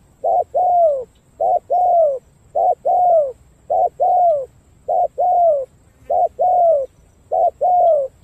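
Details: Spotted dove from Cà Mau, Vietnam, with a fine cooing pattern. Evenly spaced paired notes repeat about eight times: a short clipped hoot, then a longer coo gliding down. The delivery is clear and rhythmic over a quiet background.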